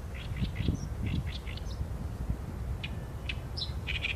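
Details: An Oriental reed warbler sings rapid, rasping notes in quick succession, a short pause, then more grating phrases, against a constant low-pitched background hum.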